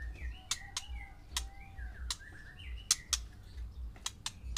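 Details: Caged white-rumped shamas, one male and six females, in a session meant to stir mating: gentle slurred whistles drifting up and down, broken by sharp ticking clicks, with a steady low hum beneath.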